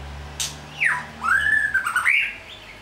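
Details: White-rumped shama giving one brief phrase that opens with a sharp click. A falling whistle follows, then a long arching note and a quick upward flourish.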